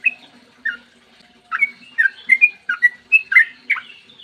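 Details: Morning song of a sooty-headed bulbul used to coax other bulbuls to sing; one whistle, a pause of nearly a second, then a lively run of fluty, bending notes.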